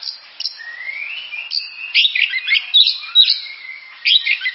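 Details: Oriental magpie-robin song begins with a long, rising whistle, then breaks into a busy string of sharp chirps, trills and sweet whistled notes, varied and loud.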